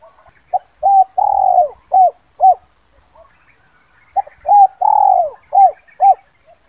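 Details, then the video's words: A spotted dove gives a "kuk 2" decoy call used to lure wild doves: two soft, mellow cooing phrases of about five notes each, the middle note drawn out, with a short pause between phrases. "Pancingan Suara Panggil Pikat terkukur KUK 2 Bersih"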